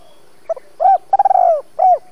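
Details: Decoy spotted dove used for trapping wild doves, calling in the 'double voice' style: one phrase of a short hoot, a rising coo, a long stuttered rolling coo that slides down, then a final coo.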